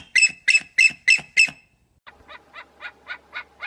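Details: Eagle calling: five loud, shrill, evenly spaced yelps, a brief pause, then a softer series of thinner, higher notes repeated at a steady pace.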